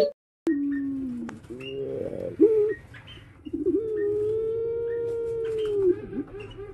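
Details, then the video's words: Captive puter dove giving a low purring coo, then a long, even, sustained note of about two and a half seconds ending in a short dip, over a quiet background hum. "burung puter"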